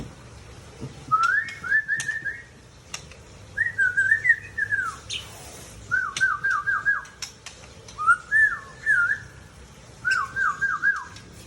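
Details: White-rumped shama, a mature male from Tangse in Aceh, delivering five separate trilled phrases, each a rapid undulating run of notes about a second long, spaced by short pauses, with scattered clicks.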